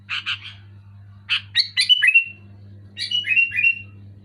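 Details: Sooty-headed bulbul in loud, clear song: paired rough chirps, then bubbly phrases of rising and falling whistled notes ending in short downward slurs, above a persistent low hum.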